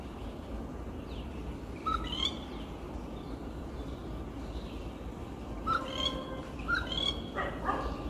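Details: Rufous treepie perched on a tree at a house, giving clear, fluty notes with ringing overtones in short bursts near two, six, seven and eight seconds, over a steady low background hum.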